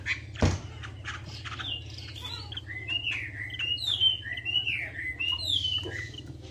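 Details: Chinese hwamei lure song: a string of clear whistled notes, some sliding upward and some falling, spaced about half a second apart, after a sharp click, over steady low background noise.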